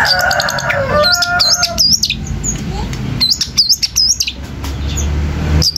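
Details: Long-tailed shrike song intended to draw replies from other shrikes: harsh harmonic scolding at the start, then repeated high looping whistles in small groups, over background hum.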